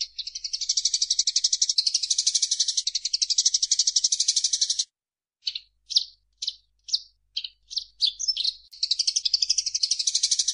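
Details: Eurasian tree sparrow for bird-keepers' training: about five seconds of continuous rapid, shrill pulsed chatter, then a gap followed by evenly spaced single sharp chirps, building back into a dense high trill.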